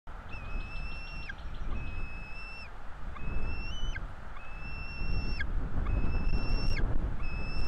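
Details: Two bald eagle chicks begging during a feeding at a nest in northeast Florida, 5 April 2022: thin, high whistled notes, each held about a second and ending in a downward flick, repeated steadily over heavy low wind rumble.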